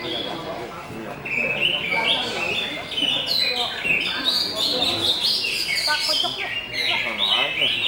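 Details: Greater green leafbird in an energetic, jumbled song of rising and falling whistles, quick chips and stepped high notes, with lower warbles mixed underneath.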